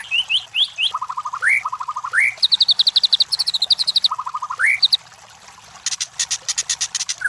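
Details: White-rumped shama lure song for competition birds: fast repeated whistled notes in low and high runs ending in upward sweeps, then a short pause and a dry rattling burst.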